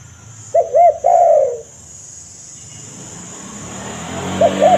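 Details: Spotted dove call used to lure wild doves: two short arched coos followed by a longer, slurred coo that falls away, then a quiet stretch with low hum before another pair of short coos begins.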